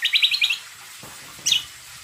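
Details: Lure song of a greater green leafbird, played so other birds reply: a quick string of five bright, trilled high notes, silence, then one sharp chirp.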